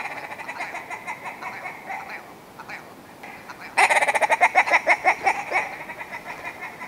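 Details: Willow ptarmigan: soft, stuttering nasal notes, a short pause, then a sudden loud series of rapid, harsh clucking pulses that gradually slow and trail off.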